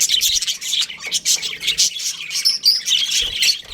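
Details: Baby budgerigars chirp loudly in an aviary, quick sharp tweets and a few clear whistled notes tumbling over one another in rapid bursts.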